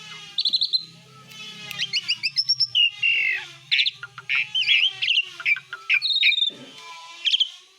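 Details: Asian pied starling in full besetan song: a varied run of harsh chattering notes, quick stuttered trills and short whistled slurs, with a faint low hum underneath.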